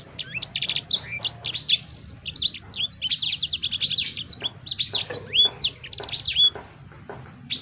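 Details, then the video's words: Continuous lively warbling from a sanger bird: rapid high chirps, sweeping slurred notes and short dry rattles tumbling together without a break, fading toward the end over a soft low background hum. "Burung Sanger Anda Bunyi Seketika"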